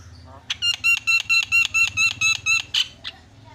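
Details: Javan myna song played as a lure to get a silent myna singing: a loud run of about ten harsh, buzzy notes rich in harmonics, repeated roughly four per second, ending in a couple of fainter notes.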